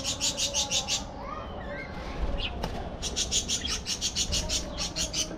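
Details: Flock of budgerigars kept in a large aviary, flying and interacting: rapid trains of sharp, high chirps pulsing several times a second, broken by a brief warbled rising phrase and a soft click.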